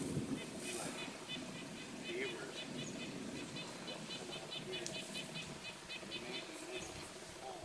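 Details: A nuthatch sings a fast, even series of nasal notes, several per second, by a dammed-up creek at a beaver dam as a thunderstorm approaches, behind wind, rushing water and a man talking.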